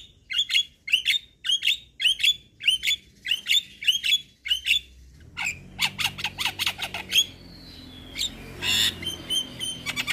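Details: Javan myna song used to set other mynas singing: evenly spaced harsh chattering notes repeated about twice a second, then a denser burst of clicks and a buzzy, noisy stretch with faint whistles.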